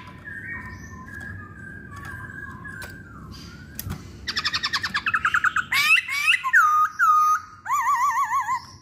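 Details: Masked laughingthrush in a pancingan, a lure recording; faint whistled notes at first, then a loud stuttering run of rapid notes, followed by bright slurred whistles and a quick wavering trill.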